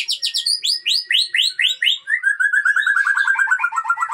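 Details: White-rumped shama, Aceh type, breeding stock, delivering a series of loud upslurred whistles about every quarter second, then a rapid run of short repeated chirps that gradually drop in pitch.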